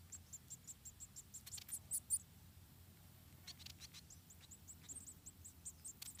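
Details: Wild munia nestlings in Indonesia, about four, call while their mother feeds them one by one, high thin chirps in quick series broken by louder scratchy bursts and rustling.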